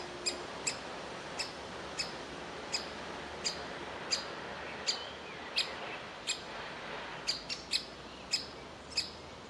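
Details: Woodpecker chick sitting in a tree cavity, begging to be fed; clipped, high calls repeated roughly every half second at uneven intervals over a faint hiss.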